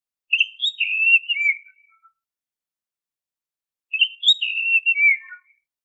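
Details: Whistled song of an Oriental magpie-robin, played as a lure to make caged birds sing. A bright, wavering phrase drops in pitch toward its end and repeats once after a pause of about two seconds.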